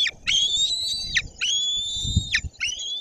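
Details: White-tailed eagle nestling grabbing a fish delivered by the male to the nest, Bory Tucholskie forest, June morning, live nest camera: drawn-out thin whistles, each rising then dropping sharply at the end, several within three seconds, faint rustling below.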